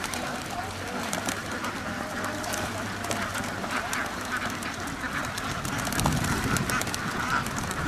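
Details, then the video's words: Ducks crowded together at a duck farm, quacking rapidly and continuously, with a low droning hum during the first few seconds and a louder surge of calls later. "duck farm ducks house بطخ بطخوں کا فارم"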